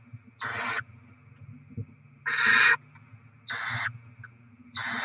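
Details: Barn owls at the nest on 7 February 2024, with rodent deliveries and chicks being fed: four harsh, broadband hissing bursts about half a second long, spaced roughly every 1.2 seconds, over a faint low hum.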